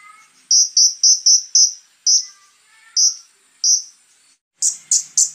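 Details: Konin singing in a loud, rough 'tembakan' style full of borrowed phrases: a rapid run of five sharp, high chipping notes, then single notes spaced about a second apart, ending in three harsher, buzzier bursts.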